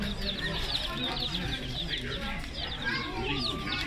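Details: Chorus of day-old chicks, dense high peeps repeated rapidly and overlapping without pause, over a constant low rumble.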